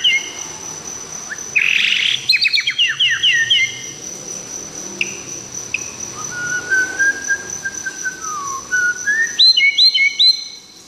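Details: From Tangse, Aceh, a white-rumped shama sings against noticeable background hiss: a scratchy burst and fast trill, a long level whistle that drops, then repeated looping whistled phrases near the end.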